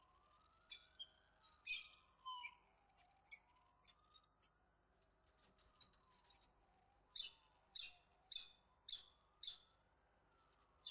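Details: Peregrine falcon at Włocławek, Poland, on 15 January 2013, delivering about twenty clipped, grating calls over eleven seconds, irregular at first, then a tighter series of five evenly spaced notes. A rising-and-falling hum loops in the background; steady high whines continue.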